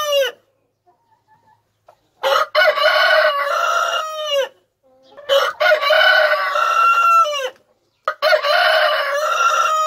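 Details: Rooster crowing: three long harmonic-rich crows, each opening with a rising note then holding a strident drawn-out tone before a falling end, separated by brief silences.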